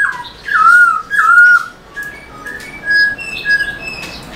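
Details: Black-throated laughingthrush song with tail dancing, for stimulating caged birds: two strong descending whistled phrases, followed by softer, thin high notes and a couple of quieter whistles.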